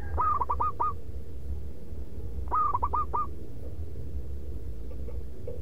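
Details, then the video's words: Local zebra dove kept as a lure, with a loud, rhythmic song: two phrases about two seconds apart, each a rising coo followed by three or four quick rolling notes, over constant low-pitched background rumble. "Perkutut Pikat Paling dicari SUARA LANTANG MANGGUNG BERIRAMA"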